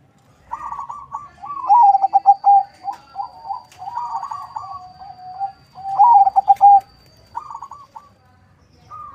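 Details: Crossbred local-Bangkok zebra dove, farm-bred in Bekasi, West Java, Indonesia, kept as a lure bird, delivering a near-continuous series of quick, bubbling coo phrases with trilled stutters and short sustained notes, steady mid pitch, quiet background.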